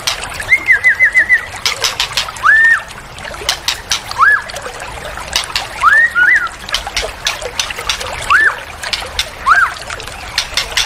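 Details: White-rumped shama of the spotted 'trotol' form, played as a lure and therapy to make birds sing loud: a quick run of five short clear whistles, then arched whistled notes spaced every second or two, over steady trickling, splashing water.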